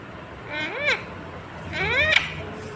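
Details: Talking green Indian ringneck parrot giving two drawn-out, arching speech-like words, rising then falling in pitch, about a second apart, with low rumbling background noise.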